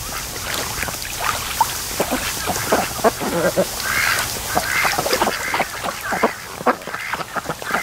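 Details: Several ducks lazing by a creek mouth at a lake in the afternoon, giving rapid overlapping quacks and soft chattering calls throughout.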